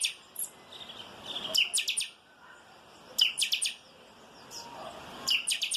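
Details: Chopi blackbird, locally chanchão, singing the 'calçada baixa' style: a few high whistles, then three phrases of rapid, ringing chirps spaced about two seconds apart.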